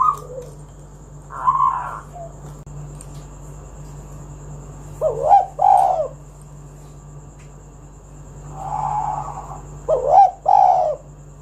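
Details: Spotted dove in full song, used to lure other doves into singing: several low, hoarse two-part coos, each a short note then a longer rolling coo, spaced by pauses of a few seconds, over a faint steady hum.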